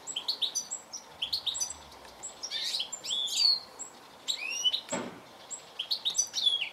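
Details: Goldfinch twittering fast with high, liquid chirps and a few rising slurred notes, plus a brief thump near the end.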